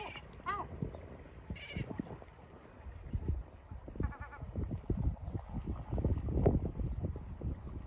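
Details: Male yellow-legged gull calling at chicks to send them into shelter; a few sharp screeches early on and one short call midway, followed by persistent low rumbling and knocking noise.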